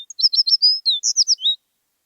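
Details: Rapid, high-pitched musical warble from an American tree sparrow, about a dozen quick sweet notes tumbling together and ending on a short descending slur, heard clean against silence.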